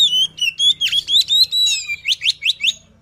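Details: Luring song from a white-rumped shama: a string of clear, steady whistled notes followed by quick rising chirps repeated about four times per second, fading at the end.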